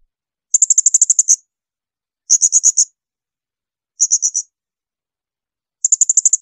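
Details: Blue-crowned hanging parrot giving shrill bursts, used for training other songbirds such as magpie-robins and shamas: four bursts of very high, sharp piercing notes repeated in quick trains of five to nine, separated by silent gaps of over a second.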